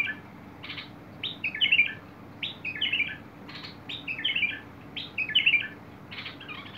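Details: Bulbul singing, recorded 21 August 2022: short bubbly, warbled phrases, rising and falling in mid-high pitch, repeated about every second, separated by dry broadband clicks or rustles.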